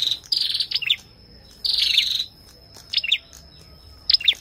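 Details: Ashy tailorbird song mixed with the female's calls, buzzy rasping bursts and quick paired chirps, over a thin continuous high whine in the background.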